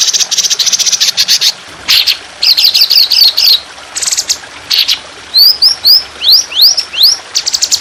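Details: Trotolan on a songbird training recording with trickling water, described as fierce with long, harsh, sustained shooting phrases: dense bursts of rapid high notes, a short chattering trill, then several sharply rising whistled upslurs.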